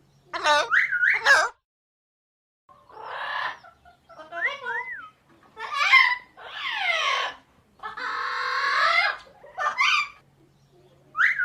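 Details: Parrot calling in uneven bursts: harsh, raspy squawks mixed with clear looping whistles and chattering, voice-like sounds, separated by short silences.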